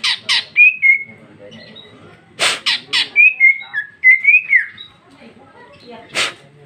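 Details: A 2021 female greater green leafbird in loud ngeplong song with isian fill: pairs of rasping squawks alternate with short bright whistled phrases that rise and fall, then a pause and another squawk.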